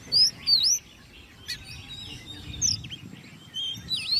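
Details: Ten-month-old hand-reared Oriental magpie-robin in a cage, competition song. Two loud, high, swooping whistles open, followed by sparser thin whistled notes over quiet background noise.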